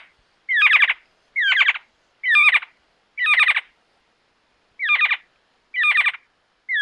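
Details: Giant Antshrike from Argentina giving a series of harsh, raspy squawks, each short and grating, repeated roughly once a second with one longer pause midway.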